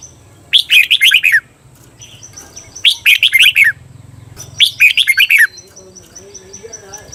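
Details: Red-whiskered bulbul kept as a cage bird, training recording of the doubled 'beun' song style: three bright phrases of about six quick, warbling, down-slurred notes, each phrase near one second, spaced about two seconds apart over a faint low hum.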